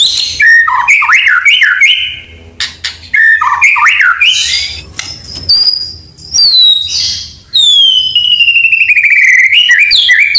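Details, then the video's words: Energetic White-rumped shama song mixed with imitated canary and cililin phrases: zigzagging warbled runs, sharp high whistles after pauses, then a long trill that slides slowly downward. "murai gacor full isian kenari cillin"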